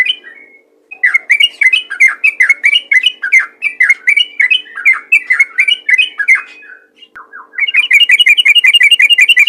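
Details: Yellow-vented bulbul singing vigorously in rapid-fire ropel style, used to prompt other bulbuls to sing: a dense run of quick, bubbly chirped notes about four per second, a brief pause, then a faster, higher chattering burst.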